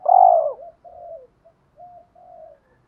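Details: Spotted dove decoy, males and females kept to provoke rivals to coo and fight: one loud, throaty, falling coo followed by a string of four soft, low, wavering notes that fade out.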